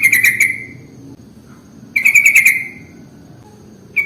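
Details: Sooty-headed bulbul lure sound, played to draw in bulbuls of any kind: two loud bursts of rapid, bubbly trilled notes, each about half a second, about one and a half seconds apart, over a low steady hum.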